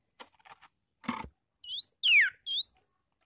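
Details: Yellow-vented bulbul (Pycnonotus goiavier) song, used as a lure to call wild bulbuls: three quick, liquid whistled notes swooping up and down, after a few dry clicks and brief rustling.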